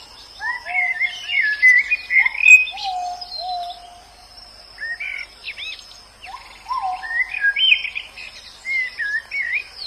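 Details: A white-eye in the wild gives high, sliding twittered phrases in loose bursts, mixed with lower drawn-out whistles from another bird and a steady high insect buzz.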